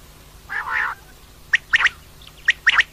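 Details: Female common quail: one longer raspy note, then short sharp clipped notes given in quick pairs and triplets, over a low steady hum.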